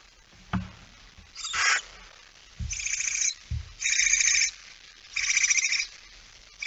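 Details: Barn owl at night on 17 September 2019 at 23:55, a male arriving with a mouse; four rasping, hissy bursts of about half a second to a second, spaced irregularly, with soft low thumps between them.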